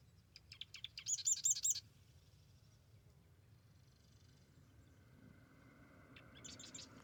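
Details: Marsh wren at the Arcata Marsh Bird Sanctuary, morning: a few introductory clicks lead into one loud, buzzy, very high trill, then a long quiet stretch before a fainter rattle begins near the end.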